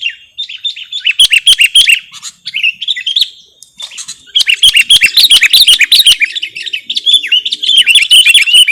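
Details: Lure or master recording of Sooty-headed bulbul song: dense, energetic chattering with rapid chirps and whistles in long bursts, a brief quieter gap midway, then renewed busy phrases.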